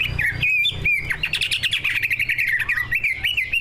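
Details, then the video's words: Two prize-winning kept greater green leafbirds singing a full song packed with learned fill-in phrases, used as a lure to set other birds singing: a dense, continuous run of sharp chirps and warbled whistles, rapid and varied, with constant low hum beneath. "Kicau burung cucak ijo gacor"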